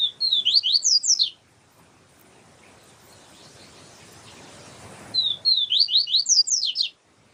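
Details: Siu siu type song of a yellow-bellied seedeater, used to train birds, with a female calling to warm the singer up. A quick run of bright, downslurred whistles is heard, then quiet, then the same phrase returns.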